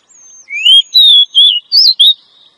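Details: Female Oriental magpie-robin calling to attract a male, a recording used to lure wild males in the forest: a rising whistled slur, then four clear whistled notes in quick succession, each slightly wavering, with no other sounds.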